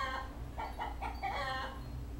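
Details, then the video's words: Pet common hill myna, male, imitating the words "good morning": four or five clipped, harmonic syllables packed into about one second, then silence apart from a constant low background drone. "My bird speaking "Good Morning" -:- นกขุนทองพูด Good morning"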